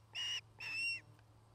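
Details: Osprey at a nest in Charlo, Montana, a mated pair building a new nest; two drawn-out whistled notes, the second longer and slightly rising, with a low steady hum beneath.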